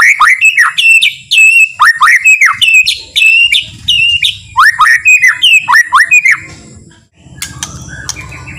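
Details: White-rumped shama, or murai batu, singing a slow, relaxed song meant to provoke other shamas into singing. Loud, repeated whistled phrases that swoop down and back up, several per second, then a break near the end with faint noise.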